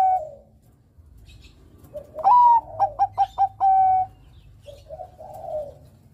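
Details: Zebra dove of the Bangkok type, singing to invite rivals to sing: a soft cooing opening, then a loud, clear phrase of four short rhythmic coo pulses ending in a sustained level coo, followed by quieter cooing.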